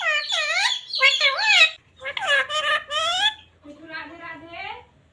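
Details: Talking parrot that says words like "radhe radhe", "sita ram" and "mummy papa"; three shrill, wavering spoken-style phrases run back to back, the last one lower and softer, indoors with faint hum.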